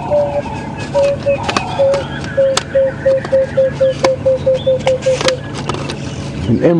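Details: An unseen emerald-spotted wood dove in a tree directly above hyenas at Djuma Game Reserve, morning of 20 November 2015, gives about a dozen low, soft coos that quicken and tumble slightly downward, under a man talking and a vehicle idling.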